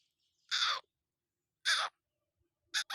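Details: Black francolin giving harsh, rasping notes, a single note, then another after a pause, and a closing clipped double note, fairly quiet against silence.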